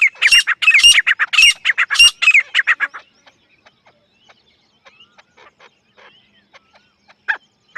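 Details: Dakhni teetar partridge giving a strident run of rasping, squawky notes for about three seconds, then falling mostly quiet with faint scattered clicks and one last harsh note.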